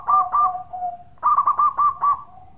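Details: Brief 'bekur' cooing of local Zebra Doves, used to prompt other doves to sing: two soft coos over a lower held note, a short gap, then a quick series of five rounded coo notes; faint constant high whine.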